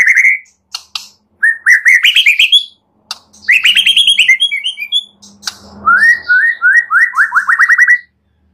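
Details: White-rumped shama (murai batu) singing a full isian training song, meant to prompt other birds to sing often: clear, rapid series of rising whistled notes in quick repeated runs, some higher twittering, and short silences.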